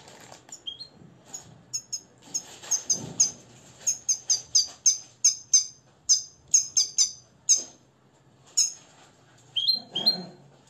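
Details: Nest-raised Moroccan European goldfinch trained in the limpio song style: a long run of high, sharp, twittering notes in quick repeated groups, with some low room noise.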